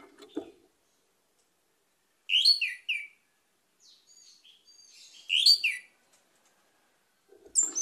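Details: Orange-headed thrush song with two loud, bright phrases of quick descending whistled notes about three seconds apart, and quiet thin warbling between them.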